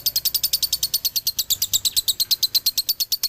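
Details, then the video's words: Male lovebird of the Galendo Ciamis type giving its dobelan song: a fast, unbroken run of sharp, high chirps, about seven per second, evenly spaced and bright, with faint low hum beneath. "SUARA ASLI DOBELAN LOVEBIRD JANTAN"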